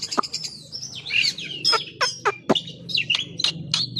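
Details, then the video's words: Oriental magpie-robin showing off its full song repertoire, mixing sweet warbled phrases with sharp clicking notes and harsh scratchy bursts, delivered in a fast varied stream over a low background hum. "Kacer bongkar isian"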